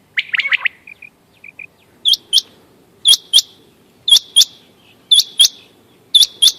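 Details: Hunting call of a quail: a quick burst of chirps, then steady high paired notes with a ringing metallic edge, repeated roughly every second with nothing else audible.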